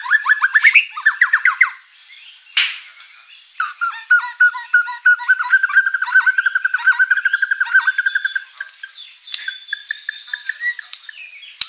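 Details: White-rumped shama singing hard with rich fill-in phrases, a lure for rivals to answer; quick rising chirps and a harsh burst, then a sustained rapid chatter over a steady mid-pitched whistled note, then scattered whistles.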